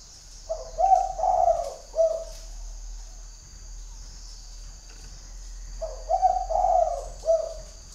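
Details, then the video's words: Tame decoy spotted dove in northern Vietnam calling well to a distant wild dove in the forest: two matching phrases of four low throaty coos, about five seconds apart. "CHIM CU GÁY MÔi CÂy Có bộ cườm Khủng"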